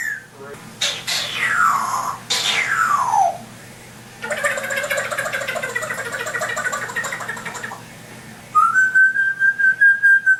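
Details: African grey parrot kept as a pet, imitating sound effects: two long descending whistles, a stretch of rough buzzing noise, then a level whistled note broken into rapid even pulses, heard indoors with a low background hum.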